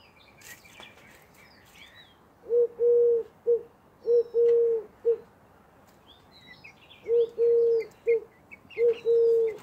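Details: A Eurasian collared dove calls persistently for a whole minute, repeating its low, hollow three-note coo, short-long-short, four times in ten seconds, with faint small-bird chirps behind.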